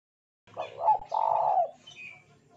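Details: Spotted dove song meant to lure other doves into singing. Stuttered short coos run into a long, level, hoarse coo lasting about half a second. A faint higher bird note follows.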